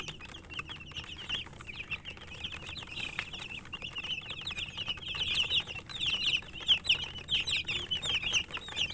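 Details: Several chicken chicks eating and calling: rapid high peeps, quieter at first and growing louder and busier in the second half, with light pecking clicks.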